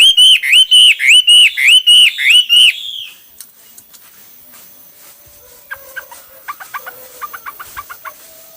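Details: Hwamei singing one of its many song styles: about eight loud, evenly repeated slurred whistles delivered in a steady series, followed by quiet background with faint chirps and soft notes.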